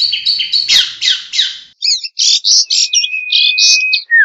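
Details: Long-tailed shrike, singing vigorously for luring birds, gives harsh buzzy notes at first, then after a short pause a string of clipped bright chirps over a thin level whistle, ending on a falling note.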